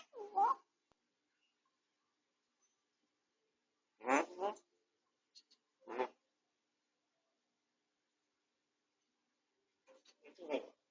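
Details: Pet grey parrot recovering from a beak-tip injury and on medication, filmed indoors by home camera, suddenly speaking while resting quietly: a few short, speech-like syllable bursts separated by long silences in a quiet room.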